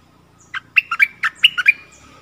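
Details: Stripe-throated bulbul answering song, wild birds responding to a caged bird on 1 April 2021 without landing, as they probably have nestlings. A rich phrase of roughly eight quick, rolling, liquid notes, then quiet.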